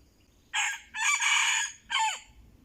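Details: Red junglefowl lured with a decoy crows once, close and loud: a raspy opening note, a long harsh middle section and a short final note that slides downward, over a quiet background.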